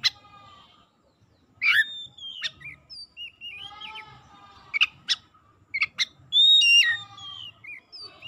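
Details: Oriental magpie-robin singing as a lure for silent or lazy birds: a harsh opening note, a wavy whistled run, scattered sharp clicks, then a loud sustained bright whistle near the end, with quiet pauses between.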